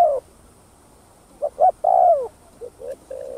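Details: Spotted dove cooing in the thúc gù style, used to lure other doves: a few short, soft hoots, then a longer drawn-out coo that slurs downward, followed by quieter clipped notes. A faint steady high hiss runs underneath.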